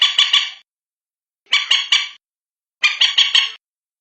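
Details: Calls of a common moorhen, sounds used for seeking the birds at night: three raspy bursts, each of three or four gruff, clucking notes, spaced about a second and a half apart on a quiet background.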